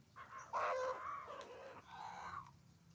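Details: Rooster on a chicken farm among hens; a loud, drawn-out harmonic crow lasting about two seconds, falling toward its end, over low farm hum.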